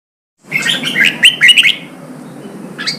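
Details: Red-whiskered bulbul, a wild-caught bird trained for singing contests, delivers a lively warbled phrase of quick whistled notes lasting about a second and a half, followed by quiet and one short high note at the end.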